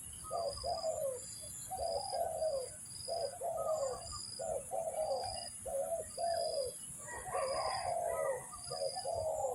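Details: Spotted dove cooing for trapping lures, a long run of rough, low double coos, short then longer and sliding down, repeated steadily, with a thin continuous high-pitched hum behind.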